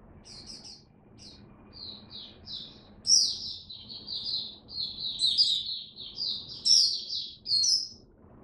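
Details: Oriental white-eye kept as a hobby bird, diet adjusted for cold rainy weather, 8 October 2022: soft separated high chirps at first, building after three seconds into a louder, continuous rapid twittering warble over low hum.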